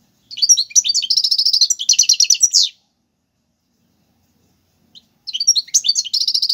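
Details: European goldfinch with Algerian song styles tiwawati galoubi and serfati, a recording meant for tutoring young birds: a long, rapid, trilling high-pitched phrase of over two seconds, a pause of about two and a half seconds, then the twittering resumes.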